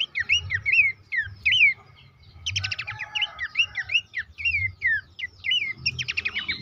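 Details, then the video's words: Horsfield's babbler singing, played to prompt caged birds: looping whistled slurs in quick succession, broken by bursts of rapid clicking chips, with a short gap before the phrases resume, over a soft low rumble. "terapi pancingan dan masteran burung pelanduk semak bikin aktif rajin bunyi"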